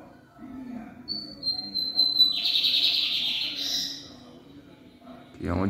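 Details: Lined seedeater singing the song style known as "Tarja Preta": a long, thin, high steady whistle, then a dense buzzy trill for about a second and a half, followed by a man's voice at the end.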